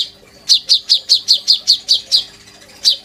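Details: Caged oriental magpie-robin singing actively, kept as a tutor bird for white-rumped shama song in the sujud style: a run of about ten sharp, downward-sweeping high notes repeated evenly, then a short pause and two more.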